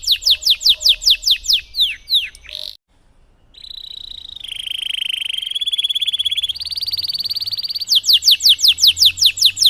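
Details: Canary delivering a long Cengkok Mewah song used as therapy to get canaries singing: quick falling notes, a short pause, then a sustained buzzy trill and a return to rapid downslurred notes.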